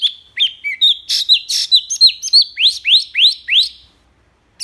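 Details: Tutor recording of a wambi singing fast 'tembakan' phrases: high thin whistles and short buzzy notes, then a string of loud rising upslurred chirps about every third of a second, ending in silence.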